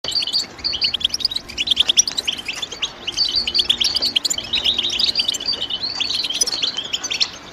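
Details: European goldfinch chirping: dense, high, rapid twittering with tinkling and buzzy notes, running nearly continuously with a brief pause near the end, over a faint low hum.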